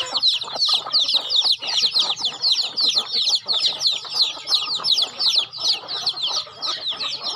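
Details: Many chickens at a home farm feeding give a continuous wash of thin, sliding peeps, packed closely with brief dips, over faint clatter.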